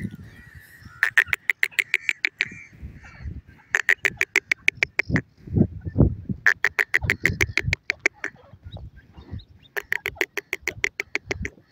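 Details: Francolin (teetar) in forest, giving runs of sharp, fast-repeated grating notes in four series, some stretches of eight to ten notes, separated by low thumping sounds and a faint thin tone.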